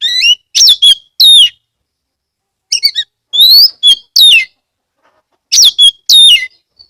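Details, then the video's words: Kept Oriental magpie-robin in Kebumen, Central Java, in full vigorous song used to stimulate other magpie-robins: three clusters of loud, clear whistled notes, some rising sharply and others sliding down, separated by short silences. "pancingan kacer gacor"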